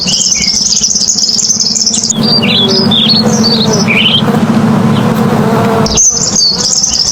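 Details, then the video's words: A purple sunbird sings vigorously in high, thin, rapid trills, broken by a run of quick chirpy notes, over a steady low hum and faint music. "Burung Matahari Ungu GACOR"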